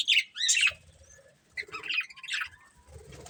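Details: A breeding pair of budgerigars gives a few quick, high squeaky chirps in short clusters, with soft wing flapping and a low rustle in the background.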